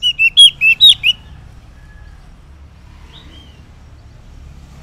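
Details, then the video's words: Morning ngeplong song of an orange-headed thrush, used as a lure for silent males: a quick burst of five or six loud whistled notes, then near silence with one faint note. "Cocok Buat Pancingan ANIS MERAH Ngeplong di Waktu Pagi Hari Yang Macet yang Bisu Kalo Jantan Nyaut"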